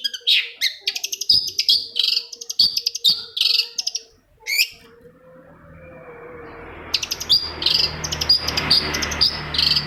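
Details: Shrike song played to set off a quiet shrike: fast buzzy chatter and whistles for several seconds, a silent gap under hiss and hum, then another burst of rapid scratchy notes.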